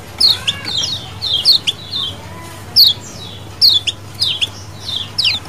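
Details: Lemon-bellied white-eyes in colony chorus, recorded as a lure: many bright, quickly descending chirps tumbling in pairs and small clusters nearly every half second, over a faint low hum.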